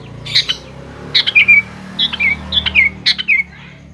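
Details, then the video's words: Sooty-headed bulbul lure song for young birds: a run of short bright whistled phrases, each ending in a slurred falling note, repeated about four times, over a low hum. "BURUNG KUTILANG GACOR | dijamin 100% nyaut GACOR kutilang muda anda"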